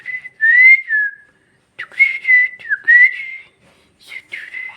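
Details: Talking parrot kept as a pet, voicing Bhojpuri words as strongly whistled, wavering tones that rise and fall in three short runs separated by brief pauses.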